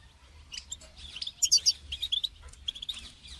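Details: Goldfinch calling to prompt a caged bird to sing: soft, rapid chattering twitters building to a few louder, piercing high notes midway, over a quiet low background hum.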